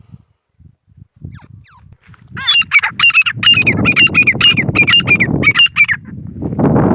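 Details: Grey francolin from India giving a fast run of shrill, repeated squeaky notes for about four seconds, over rising low rumbling background noise that swells at the end.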